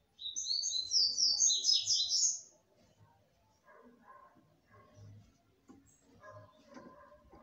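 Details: Female red-cowled cardinal singing to stimulate the male: a bright, rapid warbled phrase of high chirps and trills lasting about two seconds, then faint scattered low clicks and a soft background hum.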